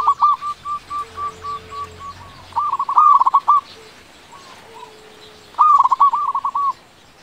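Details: Local zebra dove, loud and in full song, played to prompt quiet doves to call: a string of evenly spaced short coos, then two loud rapid bubbling phrases with soft notes between.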